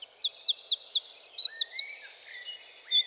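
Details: Eurasian wren in a French garden recording: a loud, fast, high song of rolling trills and sharp looping notes, a fast stutter near the middle, then another bright, evenly repeated trill, with a few faint lower whistles beneath.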